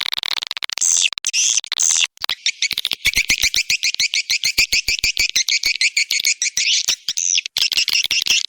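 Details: Lure call for edible-nest swiftlets: two short high chirping phrases, then a fast, steady train of clicks overlaid with continuous shrill twittering that ripples up and down for several seconds.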